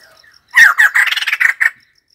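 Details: White-crested laughingthrush bursting into a loud, harsh, chattering cackle of rapid notes lasting about a second. The call stops sharply into near silence.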